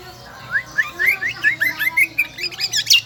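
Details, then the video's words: Kecial kombo, a bird endemic to Lombok island, in shrill, lively song: a run of short upslurred chirps repeated about once a second, rising to higher twittering notes near the end. "burung kecial kombo gacoorrr melengking"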